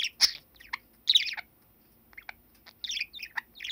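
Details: Seven-year-old male pet budgerigar, filmed on 21 December 2019, chattering somewhat nervously at the camera while mimicking speech; short scratchy high warbles and clicks in scattered bursts with brief silences between.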